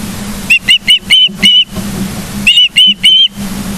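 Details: At a Charlo, Montana nest on the morning of 9 July 2023, an osprey utters five quick whistled chirps, pauses nearly a second, then adds three longer, slightly arched whistles above a low steady hum.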